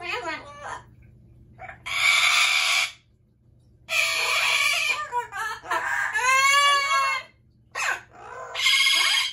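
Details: Amazon parrots in a loud session: rasping, noisy screams lasting about a second each, mixed with ringing, arched squawks, with brief silences between bursts.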